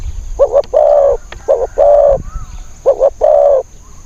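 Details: Wild spotted dove with a thin, high, aggressive voice, heard in decoy trapping: short double coo followed by a long steady coo, three phrases in quick succession, a soft upward-sliding whistle between them.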